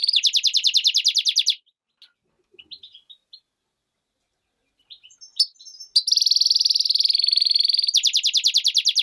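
A goldfinch-canary hybrid sings rapid, bright trills of high buzzy notes, broken by a pause with a few scattered chirps before the trilling resumes.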